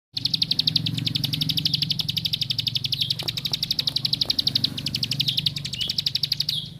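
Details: Plain prinia singing a long, fast run of sharp, high repeated notes at a steady pitch, about eight per second, with a brief pause near the end, over a low background hum.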